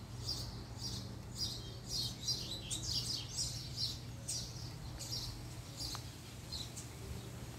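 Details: Captive coleiro (double-collared seedeater) kept as a pair, singing as the female appears: a steady run of short, high chirped notes about every half second, with a low steady hum underneath.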